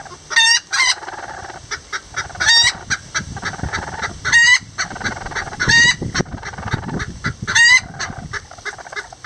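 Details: Miniature Lavender Bantam roosters and a hen building a nest together, giving loud, harsh, upward-sweeping squawks about every two seconds between faster soft clucks.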